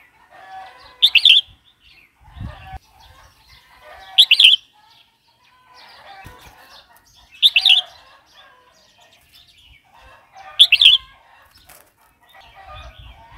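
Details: Red-whiskered bulbul song, played to stir up newly kept or wild-caught birds and to teach young birds; loud, bright, bubbly phrases burst out roughly every three seconds, with faint quieter chatter and a low thump between them.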